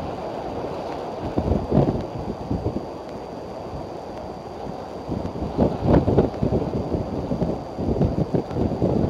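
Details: Gusty wind buffets the microphone with low rumbling bursts and a steady faint high tone, with no animal calls audible.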